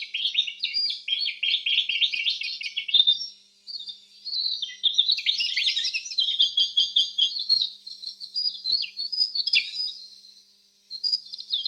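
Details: Canary song with continuous high warbling, fast rolling trills and sharp twittering notes, one brief pause near the middle, then a long run of bright chirps and buzzy rattles.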